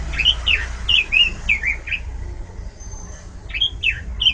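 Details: Oriental magpie-robin singing loudly with varied phrases: a run of short, slurred whistled notes, some rising and some falling, then a pause of about a second and a half before more whistles, over low background rumble.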